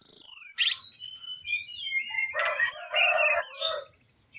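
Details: Orange-headed thrush singing in a training recording for caged birds: a loud high descending whistle, a run of stepped downward slurred notes, then a rich, raspy, rapidly warbled phrase ending in a thin high whistle.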